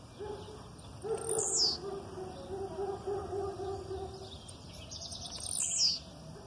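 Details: Blue-black grassquit delivering an aggressive song, female calls in the background: two sharp high descending notes roughly four seconds apart, with a run of lower, thin, repeated chirps between them.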